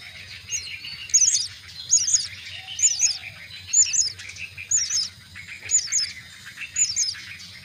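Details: Myna nestlings at the nest during feeding: repeated high, thin double chirps roughly once a second, steady and insistent, with a soft low rumble beneath.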